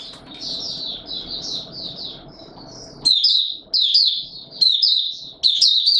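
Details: White-eye song, Mata Puteh Raja, 20 March 2022, in warm humid weather: high, fast twittering phrases over steady low background noise that stops midway, after which clear bursts repeat about once a second.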